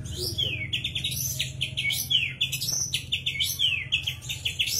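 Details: White-rumped shama, ready to perform, singing varied loud whistled phrases: sweeping downslurs, sharp rising notes and quick chattering bursts in rapid succession, with a low steady hum underneath.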